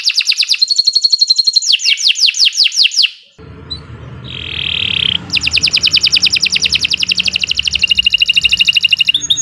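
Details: Long canary song meant to prompt other birds to sing: fast series of descending slurred whistles, a brief pause and low buzz, then a rapid even trill of repeated notes.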